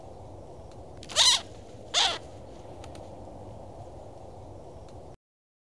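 Cooper's hawk giving two harsh, broadband squawks about a second apart, over a steady low background hiss.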